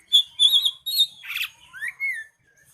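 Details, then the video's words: Oriental magpie-robin (kacer) singing: a loud clear whistled note, two wavering high phrases, a harsh buzzy rasp, then a rising slurred whistle that falls away, with short silent gaps between phrases. "Nyeting burung kacer"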